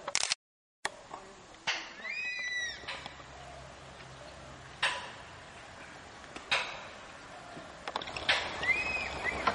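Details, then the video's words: Crested serpent eagles, a pair calling on 18/12/10 near Kulgi nature camp by Dandeli and Anshi Tiger Reserve, Karnataka, in apparent breeding season; two bursts of stacked arching whistles, early and late, among clicks and faint background. "Crested Serpent Eagle pair calling"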